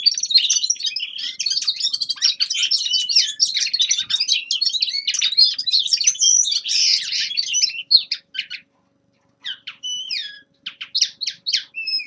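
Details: Winter song of a young male common linnet, a long hurried stream of varied high twittering phrases, ending in sparse short chirps separated by pauses.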